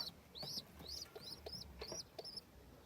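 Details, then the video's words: Baby chicks of a home pigeon during feeding: a quick series of about six high, piercing arched squeaks, evenly spaced roughly every third of a second. "Home pigeon feeding video | home pigeon and baby chicks"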